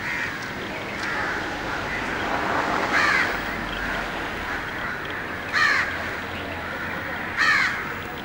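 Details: Male Asian paradise flycatcher, a noisy bird, gives sharp skreek calls: three short harsh rasping notes spaced a few seconds apart over a steady background hiss.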